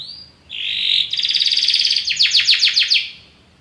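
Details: Belgian canary singing: a steady whistled note, a buzzing trill, then a short series of rapid descending notes, somewhat quieter.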